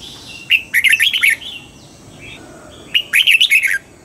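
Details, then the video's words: Morning song of a caged red-whiskered bulbul trained toward a wild double-note style: two lively, warbling phrases of quick up-and-down whistles separated by a pause with soft calls. "Luyện giọng cho chào mào hót sáng, ép chào mào hót âm kép già rừng hay tuyệt!"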